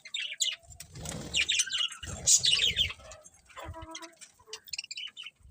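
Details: Budgies chirping: a busy warble of high, twisting chirps and squeaks runs through the first three seconds over low rustling, then thins into sparse, scattered chirps.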